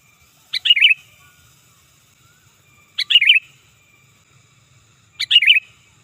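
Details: Loud, forceful sooty-headed bulbul call used to lure wild birds and to tutor others: three short bubbly phrases of tumbling liquid notes, each repeated about every two and a half seconds, with quiet between.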